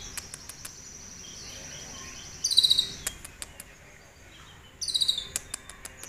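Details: Caged pet sunbird, recorded live, singing a song filled with imitated cililin phrases and used as a master recording for training other songbirds: two short, high, buzzy rattling trills with scattered sharp ticks between them.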